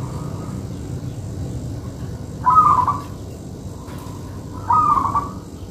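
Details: Local-strain zebra dove singing: two separate trilled, cooing phrases about two seconds apart, each short and slightly warbling at a mid pitch, set against quiet low background hum.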